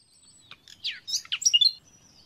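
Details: Common nightingale song played as an uninterrupted song lesson for training captive birds: a short varied phrase of quick downslurred whistles and sharp chirps, ending in bright high notes, over a quiet background.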